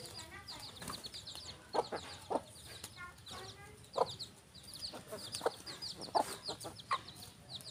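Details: Rooster and hen on a farm: short low clucks repeating every half second to second, mixed with thin high chirping notes and some background rustle.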